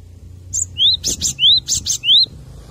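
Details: Cinereous tit song used as a master recording to train captive birds: pairs of harsh, hissing bursts, each followed by a high, rising whistled slur, repeated three times, over faint low background hum.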